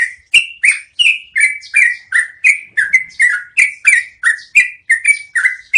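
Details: Long rolling Yellow-vented bulbul song for training cage birds: an unbroken chain of loud, bright whistled notes, each dropping in pitch, repeated about three times a second with a steady bouncing rhythm.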